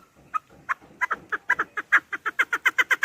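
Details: Chukar partridge calling for hunters: a few isolated clucks that quicken into a steady, accelerating chuk-chuk rhythm of bright pulses.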